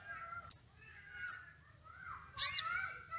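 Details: Sogon in an excited state calling a rival: two sharp high chips followed by a longer harsh, buzzy note, over continuous soft whistling of other birds in the background.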